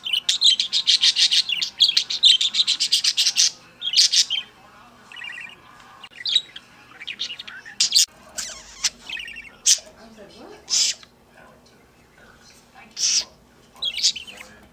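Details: Captive pet bird singing and dancing on and off: an opening run of rapid, buzzy chattering notes, then scattered squeaks and high chirps separated by pauses.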